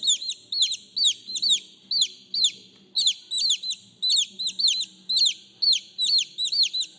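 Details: Chicks crying out to their mother with repeated high, sharply dropping peeps in clustered pulses, while a low background murmur hums underneath.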